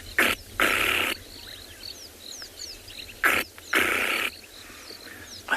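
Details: Flappet lark at sunrise on 24 December 2020, in the bush, wing-clapping high in the air before diving to land in grass: dry, rapid rattling bursts of about half a second, in pairs, with faint high chirps of other small birds between.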